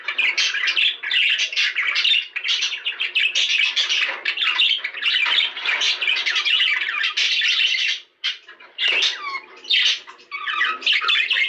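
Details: Long run of budgie warbling to spur mating: steady dense chatter of squeaks, clicks and grating notes, then sparser chirps and a few whistles after a gap near eight seconds.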